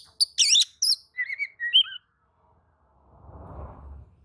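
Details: Agitated Oriental magpie-robin answering another magpie-robin: a two-second burst of sharp, wavering whistles and chirps, then silence and a soft low rumble.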